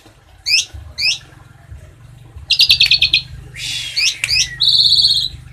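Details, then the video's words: Asian pied starling, 'tembakan isian cililin' master: two sharp zigzag chirps, a short pulsed trill, a harsh burst and more chirps, ending in another fast high trill. "JALAK SUREN TEMBAKAN ISIAN CILILIN"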